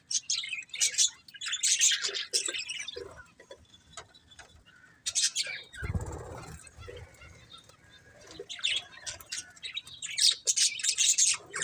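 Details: Budgerigars chirping in intermittent clusters of high, scratchy twitters, with a low thump or wing-flutter near the middle and louder chatter returning at the end.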